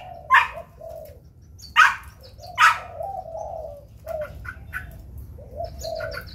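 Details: White-form black-throated laughingthrush singing in competition while spreading its wings: low mellow warbled notes repeated, broken by three loud harsh bursts.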